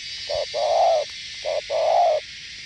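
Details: Spotted dove from Northwest Vietnam cooing in the gù (bo) style: two pairs of low hollow notes, a brief note followed by a longer drawn-out coo, against a steady background hiss.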